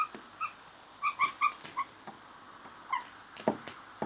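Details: Blue jays making funny sounds: short, clear, bell-like notes with bright overtones, given singly and in a quick run of five around the one-second mark, then a few more notes and dry clicks in a quiet background.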